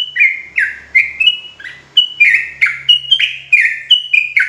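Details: Trucuk jawa, the sooty-headed bulbul, sings repeated short phrases: clear whistled notes that slur downward, given in quick pairs and triplets about twice a second, with a faint low hum underneath.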